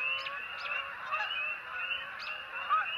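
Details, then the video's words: Several Canada geese honk together: nasal, two-part honks overlap in a steady chorus, with a few louder calls standing out every second or so. "Canadian Geese Honk"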